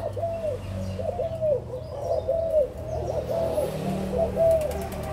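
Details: Adult spotted doves from Malaysia and Thailand, 16 March 2022, cooing in soft, low, arched notes that follow each other closely in an uneven run, over a quiet low hum.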